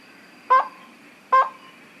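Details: Slaty-legged crake calling: two short, harsh, nasal notes, each about a tenth of a second, spaced under a second apart, over a faint steady high insect-like hum.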